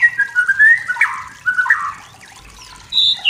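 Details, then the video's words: Forest-dwelling wild white-rumped shama sings provocatively at rivals: mellow, fluty whistled phrases, steady and wavering, then a pause before one high clear whistle at the end. "MURAI BATU HUTAN SEDANG BERNYANYI MEMANCING EMOSI || murai batu || shama bird"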